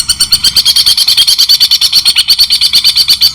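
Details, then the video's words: White-rumped shama, taken from a training recording for songbirds, gives a continuous fast string of bright, slightly buzzy high notes, nearly three each second, at an even tempo through the whole passage. "masteran murai batu cendettt mewah suara jelas jeda"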